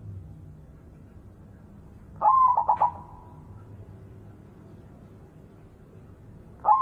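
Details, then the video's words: White zebra dove cooing in the morning: a soft, low, mellow phrase that opens with a drawn note, then breaks into a quick rolling burst of three short coos. A new phrase begins at the end, with steady low hum behind. "Full Suara Perkutut Putih Super Gacor Manggung Pagi Hari"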